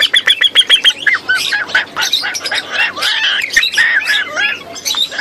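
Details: Begging from three hungry hand-raised sulphur-crested cockatoo chicks. A quick run of about eight evenly pulsed rasping notes is followed by a jumble of overlapping harsh squawks and wheezy calls.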